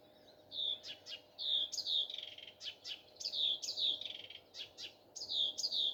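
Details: Singing nightingale in the morning, repeating loud downward-slurred whistles interleaved with sharp clicking notes in a lively, uneven rhythm.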